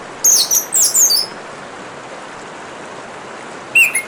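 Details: Orange-headed thrush giving two high, thin twittering phrases close together, then a long pause filled only by trickling water, and a short lower whistled phrase at the end.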